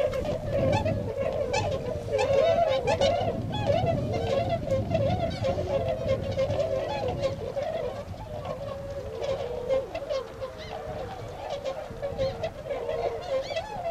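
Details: Tundra swans at the Otakara-da flood pond, Azumino, Nagano, Japan, 22 February 2013, departing to feed in nearby fields. A long, steady chorus of overlapping honks over a low rumbling background.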